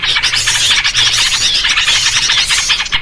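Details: Trapping lure of noisy yellow-vented bulbuls: a thick wall of busy, bubbly chirping and squeaky notes from many birds overlapping without pause.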